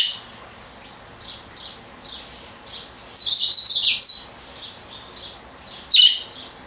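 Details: A female yellow-fronted canary (Mozambique serin) indoors gives soft, high twittering chirps, a brighter trilling burst midway and one sharp chirp near the end, while a budgie also chirps in the background of the room.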